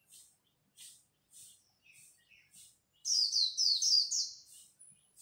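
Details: White-eye at dawn in song competition, soft repeated high chirps about twice a second, then a loud, rapid warbling phrase of high descending slurs.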